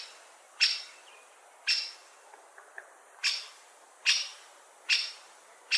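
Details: Six hard, clipped 'kik' calls of a great spotted woodpecker, spaced about a second apart, with soft faint chips heard in the gap midway.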